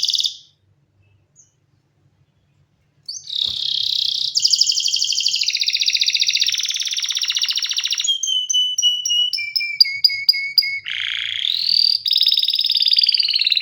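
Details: Canary singing after a pause. Long rolling trills move through several pitches, broken by short series of clipped repeated notes.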